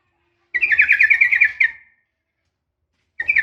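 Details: A female sooty-headed bulbul gives a fighting call to draw a male: one long, fast, rattling chatter of bright notes lasting over a second, then silence before a new burst begins.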